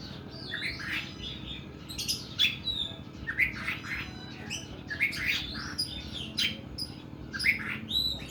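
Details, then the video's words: Oriental magpie-robin in harsh, extended 'nembak' singing: scratchy chirped phrases and sharp notes repeated roughly every second, fairly even loudness, with a constant low background hum beneath. "KACER KUKU BIMA NEMBAK PANJANG & KASAR"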